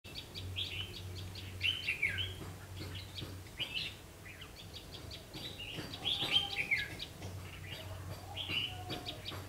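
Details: Red-whiskered bulbul (ché type) singing as a lure bird at a double spring trap, 3 September 2016, 5 pm: short warbled, whistled phrases with bright rising notes, repeated irregularly, over a steady low hum and faint background chirps.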